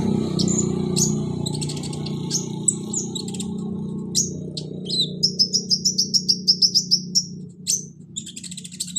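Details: Olive-backed sunbird (kolibri ninja), played as therapy to get a lazy caged bird singing: high thin chirps, then a fast even trill of sharp notes near the top of the range, over a steady low hum.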